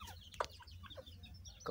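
Two sharp, harsh notes about a second apart from a grey francolin, with a few softer notes between them over a steady low hum.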